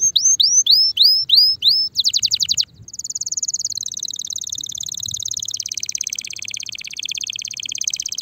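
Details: Spanish Timbrado canary in mating condition sings a run of quick rising whistles, a brief buzzy burst, then a long continuous metallic rolling trill that drops slightly in pitch toward the end.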